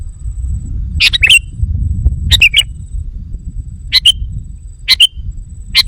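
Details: Lure call of the sooty-headed bulbul, meant to provoke wild ones: five crisp chattering phrases with slurred whistles spaced roughly a second apart, over low-pitched rumble and a faint high steady tone.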